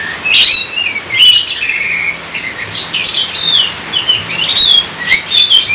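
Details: Kacer, the Oriental magpie-robin, in Indonesian gacor song: bursts of bright whistled notes, quick upslurs and downslurs and scratchy chirps, delivered in clusters roughly every second with short gaps between.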